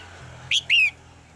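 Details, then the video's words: A female red-whiskered bulbul in a cage, calling to make the male sing harder, gives two loud whistles. A short upswept note is followed by a longer one that drops gently in pitch, over low hum. "นกหัวจุก birds - เสียงนกตัวเมียในกรง กระตุ้นให้นกตัวผู้ร้องหนักขึ้น"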